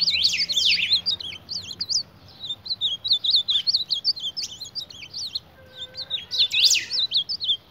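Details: Ultramarine grosbeak confronting its mirror reflection: loud buzzy sweeps opening a lively run of high looping whistles, then pauses and a second energetic burst.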